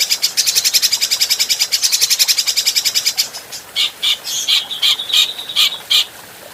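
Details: Fast, regular chattering of an adult grey-cheeked bulbul, a training recording for other birds, lasting three seconds. It gives way to scattered clear whistles and short, level whistled notes with short pauses between them.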